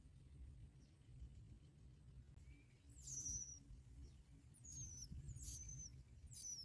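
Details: Bar-winged prinia chicks give thin, very high squeaky begging calls in quick bursts through the last four seconds, over a steady low rumble, as both parents bring black locusts to feed them.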